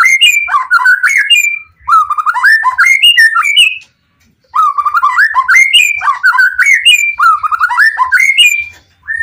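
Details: Excited White-rumped shama singing to get other shamas to answer: two bursts of rapid, rich whistled phrases of swooping, rising notes, divided by a brief silence.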